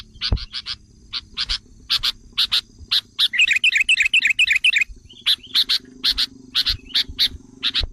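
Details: Lure sound of sooty-headed bulbul meant to rouse wild bulbuls: a steady row of sharp dry chips with one dense burst of rapid warbled notes in the middle, faint low hum underneath.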